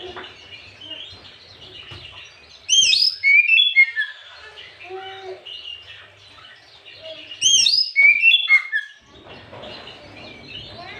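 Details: Afternoon Oriental magpie-robin song used as a lure for other birds: two loud bursts of high sweeping whistles and chatters about five seconds apart, with quieter warbling and background noise between.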